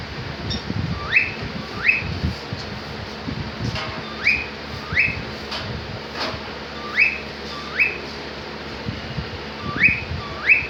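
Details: Pet cockatiel in a happy mood giving rising whistled calls, each sweeping sharply upward, repeated about every 0.7 to 1.5 seconds across the stretch, with faint low room noise beneath.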